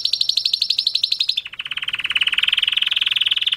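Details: Canary mating song: fast high pulsed trill shifting down to a lower, steady rapid roll that gradually rises in pitch.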